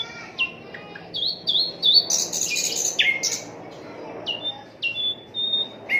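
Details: Unedited song of an Asian brown flycatcher, used to teach other songbirds: a string of short whistled notes with abrupt downward flicks, a dense scratchy burst near the middle, then spaced sliding whistles.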